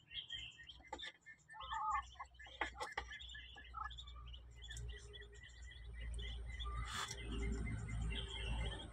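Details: Newly hatching Muscovy ducklings give busy, overlapping high chirps and short peeps, several at once, over a steady low machine hum with rustling and a sharp knock late on.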